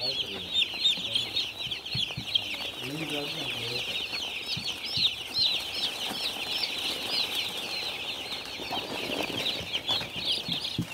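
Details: A crowd of farm chicks keeps up constant high-pitched cheeping, each note a brief bent whistle, with a few faint low murmurs and occasional soft knocks beneath.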